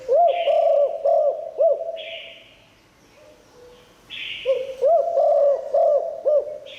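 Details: Spotted dove giving the 'liu tan' song, praised as strong enough to bring in wild birds: two bursts of low, looping coos, each about four notes long, separated by soft hissing sounds and a short pause.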